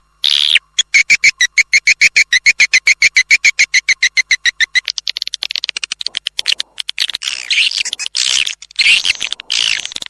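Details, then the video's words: Edible-nest swiftlet lure call used by swiftlet farmers to attract birds: a fast, even run of sharp high chirps, about three or four per second, breaking after five seconds into a dense, ragged twittering. "SUARA PANGGIL RAJA PIKAT WALET"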